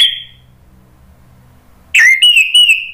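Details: Orange-headed thrush in Indonesia singing ngeplong, a loud song meant to stir other birds to answer: a short high whistle, a long pause, then a rising, ringing whistled phrase that wavers as it holds.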